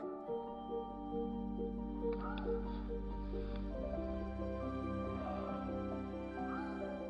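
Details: Soft, sustained instrumental music with steady tones and faint background murmur; no animal calls stand out.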